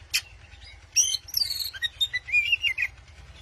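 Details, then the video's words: White-rumped shama, kept as a song bird in Indonesia, provoking a rival: sharp high whistled notes and rapid twittering phrases, then a sliding warbled run, over a steady low electrical hum. "KACER MEMANCING LAWAN"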